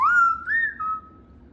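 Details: Pet cockatoo indoors giving a single clear whistle that rises, holds level, lifts briefly and then fades on a steady lower note, about one second long.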